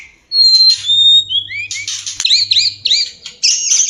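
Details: Mating song of the white-rumped shama (murai batu): high clear whistles and upward-sweeping notes, then a dense run of high looping and buzzy notes; faint low hum.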